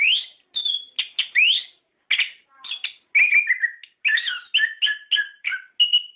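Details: Orange-headed thrush lure song, played so captive birds answer and sing, in the loud full-rolling style: a rapid run of varied clear whistled and buzzy notes, rising slurs and short trills, in brief bursts with quick pauses, no other sounds.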